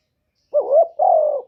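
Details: Spotted dove coo used to entice wild doves: one loud, clean two-part phrase, a short rising note then a longer level hollow coo, in silence.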